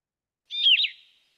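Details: Yellow-throated Vireo song heard on a Wisconsin bird hike: one burry, slurred phrase under a second, dipping and rising at moderate pitch; the "here I am, where are you" phrase of the Red-eyed Vireo but slower in cadence.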